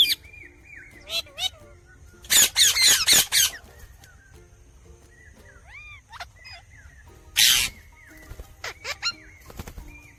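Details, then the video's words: Pet ringneck parakeet chirping: repeated short arched and rising whistled chirps mixed with bursts of harsh, loud screeching, with faint music in the background. "Talking Parrot Chirping Sounds"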